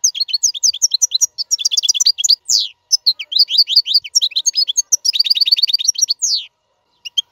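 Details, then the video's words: Continuous European goldfinch song intended for teaching caged chicks: dense, rapid twittering with liquid trills and buzzy slurred notes pouring out almost without pause for six seconds, then quiet. "اقوى تغريد الحسون. لتعليم فراخ القفص"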